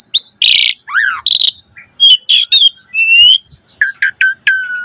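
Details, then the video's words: Asian pied starling song full of varied phrases: a loud rasping note, a chevron-shaped whistle, chattering bursts, a drawn-out rising whistle, and a series of short falling whistled notes. "Suara Jalak Suren Gacor Full Isian Variasi"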